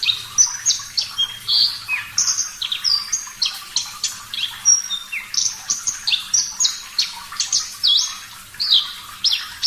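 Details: Javan bush lark in full, energetic song, recorded as a master track for training caged birds: dense unbroken stream of high chirps, whistles and downslurred notes delivered several per second.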